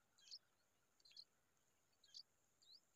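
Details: Himalayan bulbul (Pycnonotus leucogenys) feeding its nestlings gives four short, high chirps, some with a quick upward twist, spaced about a second apart over a steady background hiss.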